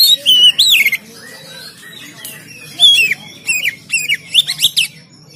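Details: Oriental magpie-robin in Pemalang, Indonesia, singing lively and vigorously: loud whistled phrases with sharp upward and downward sweeps, some harsh squawky notes, in bursts with short pauses, over a low steady background hum.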